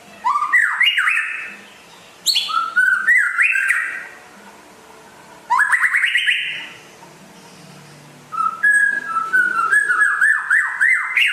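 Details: White-rumped shama, a rare bird from West Aceh, sings in vigorous bursts: rising whistles and sharp high notes, separated by short silences, ending in a fast run of upward-sweeping notes.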